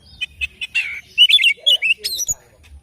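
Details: Morning song of an oriental magpie-robin, a quick run of chirps and warbled, wavering whistles, with a few low muffled notes near the end.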